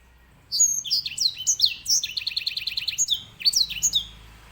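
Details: Grey singing finch, a small finch often kept to tutor canaries, singing a loud, fast run of high slurred whistles, falling swoops and a buzzy trill of rapid repeated notes.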